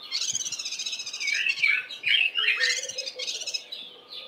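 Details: Cape white-eye, early morning while foraging, giving a fast, scolding alarm chatter of harsh, buzzy high notes with twittering trills, packed closely and varying in pace, on seeing a Spotted Eagle-owl sitting on a nearby roof.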